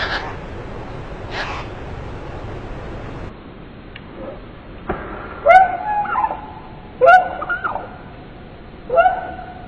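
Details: Unidentified bird giving loud, harsh, ringing calls three times at roughly two-second gaps, each call a short burst of stacked tones, after a stretch of hissing background noise.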